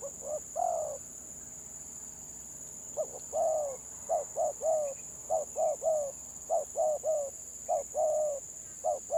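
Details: Spotted dove, village bird, in 'gagap' stuttering song: a coo phrase, a pause, then quick repeated short hoarse coos in pairs and triplets, about fifty a minute. A faint steady high whine sounds in the background.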